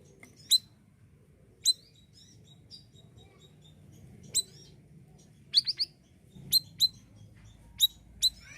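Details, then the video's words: Siri-siri bird in full song, used to train other songbirds. Brief, piercing high chirps come singly or in quick pairs every second or so, separated by quiet gaps with a faint low hum. "BURUNG SIRISIRI GACOR UNTUK MASTERAN,PANCINGAN JUGA OKEH"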